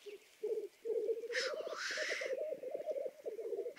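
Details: A Black grouse, one of Lithuania's birds, gives a continuous low, dove-like bubbling of rapid rolling notes, broken midway by a loud, harsh hissing whoosh.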